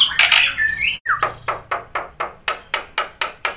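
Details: Black-winged myna singing with fill-ins: a scratchy squeal and rising whistle, then a steady series of sharp, harsh notes about three per second.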